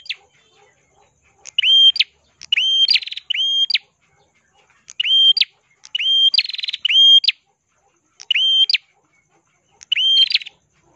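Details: Ashy tailorbird, a red-headed songbird singing continuously with a clear crystal tone, used as a tutor for other birds; loud sharp whistled notes, swept upward then down, in groups of one to three, some with rattling buzz.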